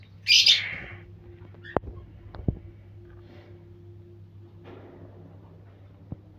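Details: Parrot in the morning giving one short, harsh, grating squawk near the start, followed by quiet room hum and a few light taps.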